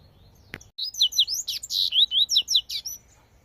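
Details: Double-collared seedeater in the wild giving its tui tui style song, a fast, dense string of high whistled and slurred notes, some buzzy, about a dozen in rapid succession, after a single sharp click.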